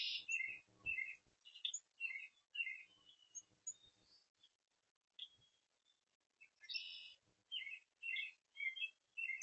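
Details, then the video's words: Oriole recorded on 13 May: a series of short chirping and chattering notes repeated irregularly, with brief pauses and a few soft, thin whistles between them. "A BEAUTIFUL ORIOLE WANTS TO SAY HELLO"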